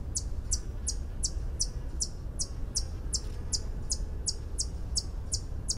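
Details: White-eared hummingbird song: a steady series of sharp, very high metallic ticks, close to three per second, about sixteen in all, over a constant low background rumble.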